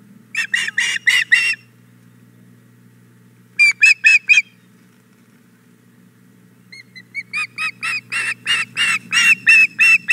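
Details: Begging osprey female wanting the fish her mate brought to the nest, Hog Island Boathouse, 4 May 2017, morning: bursts of rapid shrill chirps separated by silent gaps, the last series building louder and faster.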